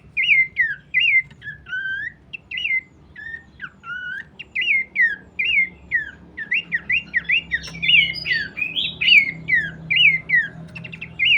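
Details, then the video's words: Abbott's babbler delivering a fast, continuous string of whistled, slurred notes that swoop up and down, loud and evenly paced, with a brief pause near the middle and a faint low hum underneath. "pelanduk semak birds"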